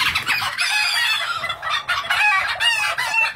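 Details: Thai bantam chickens raised for breeding on a Vietnamese farm; loud, harsh, strained crowing from several birds overlapping, continuous and rough with little pause.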